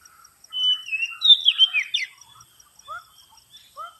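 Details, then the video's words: Oriental magpie-robin lure sound: a burst of varied, rich whistled phrases with sweeping and warbling notes, then scattered short downslurred chirps and a faint steady high insect-like tone. "suara pikat burung kacer paling AMPUH terbaru"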